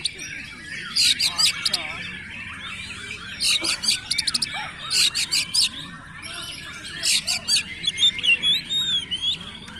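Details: Oriental magpie-robin in energetic song: bursts of harsh, rattling buzzy notes alternating with thin high whistles, grouped in short clusters separated by brief gaps, with faint background noise.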